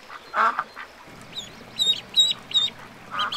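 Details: Duck quacks on a lagoon mixed with thin, high, sharp peeping notes repeated several times over a low, steady background hum.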